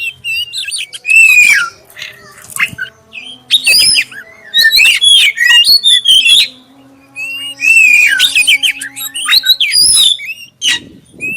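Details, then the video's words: Black-breasted oriental magpie-robin song used to prompt other magpie-robins to sing, with a clear voice: bursts of loud, varied, sweet whistles and sliding chirps, some rising and some falling, separated by short pauses over a faint steady low hum. "suara pancingan kacer dada hitam suara jernih"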